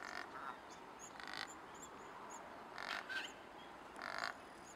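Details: Cape Barren goose in Australia, recorded 12 January 2019: four short, harsh, broadband honks about every 1.3 seconds. Faint high chirps sound in the background.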